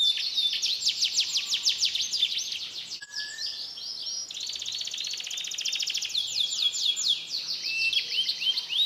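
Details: Canary from Comal, Pemalang, Central Java, Indonesia, singing mixed imitations: fast buzzy trills of rapid repeated notes, a brief low whistle, then a dense high rattle and more rapid trilled phrases.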